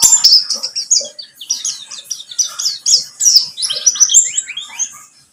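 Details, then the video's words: High, sharp and hurried chirping song of a pleci buxtomi white-eye, meant to prompt other birds to sing, ending in a series of descending whistled notes. "Pancingan pleci buxtomi agar bunyi"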